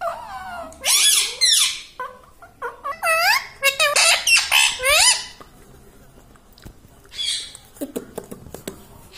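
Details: Talking pet rose-ringed parakeet, kept indoors, saying human words such as 'mummy' and 'mitthu': bursts of harsh squawky syllables and arching nasal voice-like notes, several in quick succession, then quieter clicks and squeaks in a small room.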